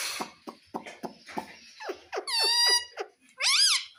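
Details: Pet rose-ringed (ringneck) parakeet talking, as it says "mummy": short, breathy speech-like syllables, then two long, harmonic, nasal squawks, the last wavering up and down.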